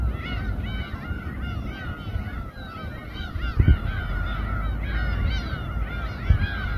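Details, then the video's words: Many gulls crying together over a boat at Samgilpo Port, Seosan, South Chungcheong Province, Korea; a thick mass of arched, mewing calls, with a few low thumps and a steady low rumble underneath. "회뜨는 선상 갈매기 합창"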